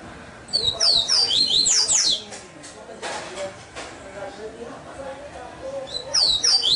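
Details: Double-collared seedeater kept in captivity sings a rapid run of piercing, descending whistled notes for about one and a half seconds, pauses, then starts another high phrase near the end.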